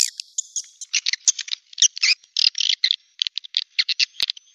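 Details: Swiftlet calling sound played to attract birds in swiftlet farming: bright, high twittering chirps in short clustered bursts separated by silent gaps, some notes buzzy, one sharp click near the end.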